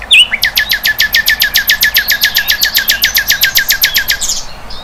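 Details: Sikatan londo flycatcher in the wild delivering a long, even series of rapid high notes, about four per second for roughly four seconds, opening and ending with brief sharper chirps.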